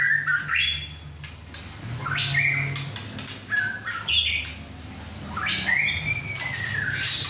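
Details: White-rumped shama, a captive young male of six and a half months after his first moult, singing vigorously at home with other birds nearby. Clear whistled notes and upslurred phrases alternate with brief harsh chips, with a constant low hum beneath.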